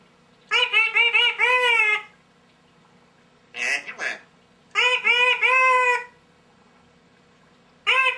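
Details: African grey parrot chattering: bursts of nasal, harmonic-rich calls with wavering, bending pitch, two long runs of rapid notes about a second and a half each, a short breathy squawk between, another burst starting at the end.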